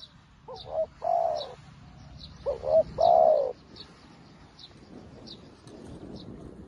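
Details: A newly caught spotted dove, used as a decoy, calls to bring in wild doves. It gives two similar phrases, each a quick broken note then a long warm coo, while small birds chirp faintly and repeatedly in the background.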